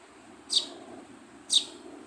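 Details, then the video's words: Two quick, shrill high chirps from a baby sparrow, one second apart, over faint background hiss. "Baby Sparrow Chirping Sound"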